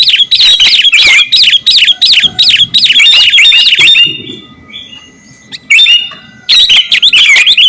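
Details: Kutilang garuda, a sooty-headed bulbul, in lively song meant to tutor caged birds: fast run of looping, whistled chirps for four seconds, a short pause, then further bursts of sharp notes.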